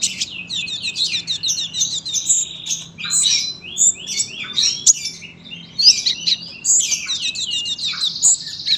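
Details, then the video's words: Sunbird singing a long, continuous song, used as a master recording for teaching young birds: dense bursts of high, sharp chirps, trills and twittering notes with quick rising and falling slurs, packed closely for nearly nine seconds without a break. "KOLIBRI GACOR PANJANG SUARA RAPET"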